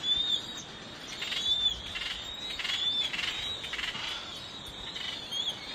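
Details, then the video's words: Lesser noddies give harsh, high, scratchy calls in overlapping bursts about every second or two, with thin whistled notes above a steady colony din. "lesser noddy"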